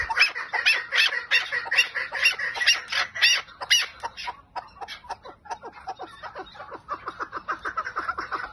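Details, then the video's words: Chukar partridge, lal style: rapid run of clucking notes roughly twice per second, louder and denser at first, then thinner, spaced cackles toward the end. "süper lal keklik"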